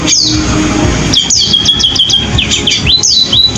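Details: Pipit sparrow giving a canary-style song: a sharp downslurred opening note, then a level high whistle broken by quick chips and looping slurred notes, with continuous low rumble behind.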